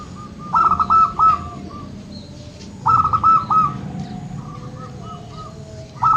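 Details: A local zebra dove, its call meant to spur lazy doves into singing, delivers bursts of rapid, bubbling coo notes followed by softer trailing coos, the phrases spaced a couple of seconds apart against low steady noise.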